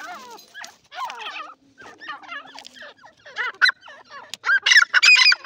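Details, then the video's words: Irani francolin producing wavering, bending notes that build into a rapid, loud burst of sharp, harsh calls toward the end. "irani teetar ki masty#irani teetar ki voice#teetar ki boli #teetar ki voice#teetar ki awaz"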